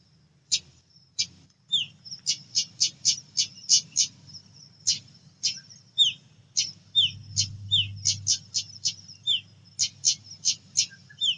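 Female pied bushchat giving a rapid series of dry, clicking ticks, several a second, mixed with short high downslurred notes over a thin steady whistle; faint low hum beneath.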